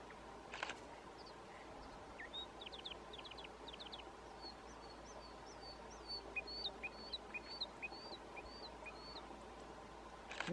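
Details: A distant Patagonian mockingbird (Mimus patagonicus) sings a soft, varied string of high whistled notes, chirps and quick slurred couplets, with faint background hum and a few handling knocks.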